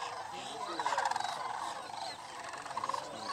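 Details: At Paynes Prairie near Gainesville, Florida, a migrating sandhill crane flock murmurs in softer overlapping bugles, with two distinct close rolling, trilled calls standing out, one near the start and one toward the end.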